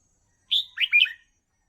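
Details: Caged red-whiskered bulbul song meant for training young birds: one short phrase opening with a drawn-out whistle, followed by two quick warbled notes and a falling ending.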